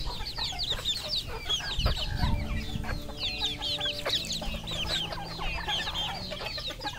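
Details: Red junglefowl at a farm in Cambodia: a dense chorus of many high, thin, downslurred peeps overlapping continuously, with scattered lower clucks and a steady low hum and faint tonal drones underneath.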